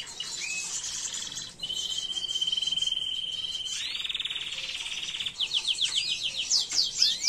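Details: Canary tutor song, free of errors, recorded in 2022 for teaching chicks to sing. Opens with high chirps, then a long fast rattling roll held on one pitch for several seconds, ending in quick repeated sweeping notes.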